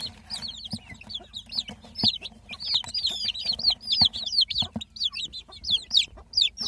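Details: Baby chicks with a hen, peeping constantly: high, thin, rapidly repeated down-slurred cheeps overlapping from several chicks, with soft low clucks and scattered tapping sounds beneath.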